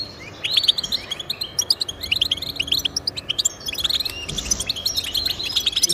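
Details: European goldfinch song played to encourage pet goldfinches to sing: rapid, bright twittering of short chirps and trills, with a few upward-sweeping whistled notes and dense overlapping tinkling phrases throughout.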